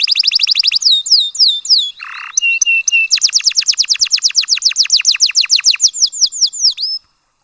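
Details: Canary song for stimulating mating in the breeding season: quick trill, rising whistles, a brief harsh buzz, then a long series of rapid falling notes ending in a rising whistle.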